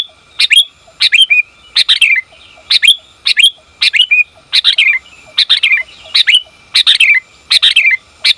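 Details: Female sooty-headed bulbul calling for a male. Rapid groups of two or three crisp, downward-curling chirps recur a little less than once a second, with a quiet background.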